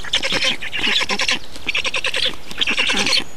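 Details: Black storks in Estonia during a feeding on 2 June 2019. Harsh, raspy squawks come in dense pulsed bursts, each lasting about half a second, with brief gaps between them.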